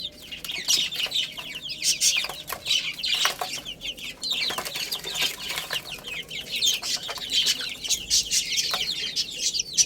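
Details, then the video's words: Young chicken chicks chirping as they eat and play; rapid high-pitched peeps slide downward in overlapping waves, with sharp percussive ticks scattered throughout. "Cute Little Chicks Chirping Sounds"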